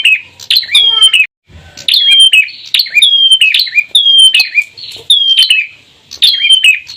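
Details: Male and female bar-winged prinias in energetic 'ceplir'-style song, rapid bright descending notes with a metallic edge, repeated roughly every second, broken by a short gap near the start and a soft low rattle.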